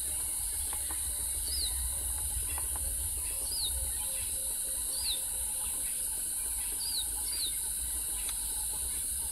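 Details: Collared sunbird in Kruger National Park, South Africa, giving thin, high, downslurred notes every second or two, sometimes in quick pairs, over steady hiss and low rumble.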